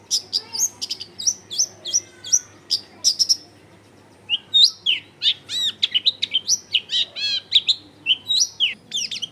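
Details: Lure song of a long-tailed shrike for making other shrikes sing, recorded at a home in a busy area: a quick series of sharp, rising chirps, a short pause, then a fast run of downswept whistled notes.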